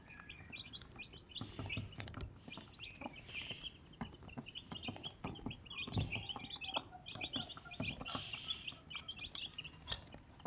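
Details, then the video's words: Desi mother hen and four baby chicks; continuous high chick peeps in short bursts, with a few low clucks, clicks and faint rustling. "Desi Chicken 1 Mother Chicken 4 Baby Chicks"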